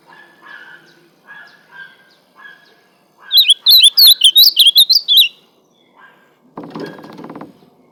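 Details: Ultramarine grosbeak of the fibre song type gives a rapid burst of looping whistled notes midway, preceded by soft repeated lower chirps and followed by a short burst of rustling noise.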